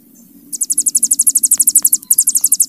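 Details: Hill prinia, ciblek gunung, in master bren song for cagebirds: after a faint thin note, a sudden high, rapid pulsed trill runs on with one brief stutter.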